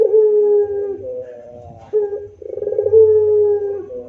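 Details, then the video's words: Gacor puter pelung dove giving its rintihan moaning song: a sustained low coo, a softer wavering tail, then a quick run of pulsed purrs leading into another long drawn-out hoot. A faint low hum runs underneath. "Masteran Rintihan Puter Pelung Gacor Istimewa Bikin Puter jadi Rajin bunyi"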